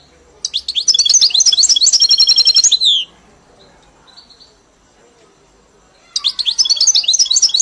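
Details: European goldfinch kept in a cage and trained on a hybrid's "Mili" style. It sings a dense, buzzy, tinkling burst for over two seconds, falls silent for about three seconds, then starts another rapid twittering phrase.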